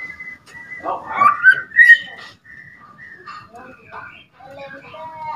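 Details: Young white-rumped shama, two months old and still learning its song, whistling to provoke other birds. Clear rising whistled notes come in a quick cluster, followed by softer, varied warbled fragments.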